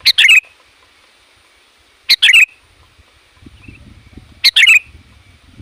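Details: Sooty-headed bulbul calling to attract wild bulbuls. Three matching bubbly phrases, each a high chip then a warbled slur, come about two seconds apart. Soft low rustling starts near the end.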